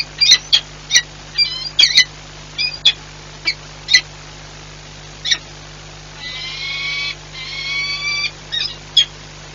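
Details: Peregrine falcons at the Płock nest, Poland, 4 April 2022, making many changeovers; scattered sharp chip calls, then a long whining, harmonic wail lasting about two seconds, over a low constant drone.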